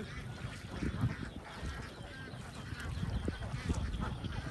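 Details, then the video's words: A huge flock of young domestic ducks on a farm, their many overlapping calls merging into a dense, continuous chatter over a heavy low rumble of movement and background noise. "Duck huge flock of young millionaires"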